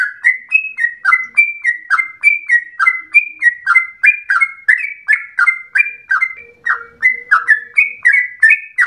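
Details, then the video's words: Sooty-headed bulbul (trucukan) in full gacor song with a long ropel, its voice likened to a straw-headed bulbul's: brisk chains of clear, slurred whistles, roughly three notes a second, with a faint low hum in the background. "Trucukan gacor ropel panjang narung suara berasa cucak Rowo"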